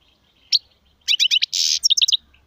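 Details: Song of a European goldfinch (local styles sarfati, gzrati, tsersir): a single high chirp, then a quick trill of liquid notes, a brief harsh buzzy burst, and another fast series of bright twittering notes.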